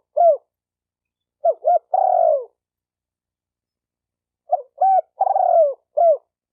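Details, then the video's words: Spotted dove call used to rouse decoy, male and female doves. A single coo opens, then two phrases of quick double coos, a long burred descending note and a closing arched coo, in silence. "Tiếng chim cu gáy kích bổi kích trống kích mái"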